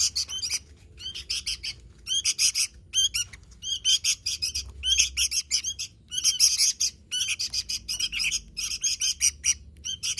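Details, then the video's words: Vigorous sooty-headed bulbul song in separate bursts of quick chirped notes, each burst lasting about a second, separated by short pauses. "Suara Burung Kutilang Gacor"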